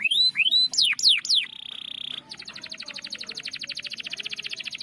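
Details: Canary in rolling 'ngerol' song meant to spur a silent canary to sing: a few loud upslurred and steeply falling whistles, a steady held tone, then a long, very fast, even trill continuing to the end.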